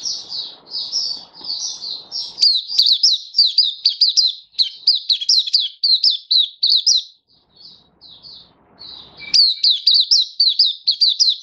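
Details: Caged oriental white-eye giving a long, busy song of high, tumbling, twittering notes in near-continuous runs, with a brief quieter gap before a final loud burst.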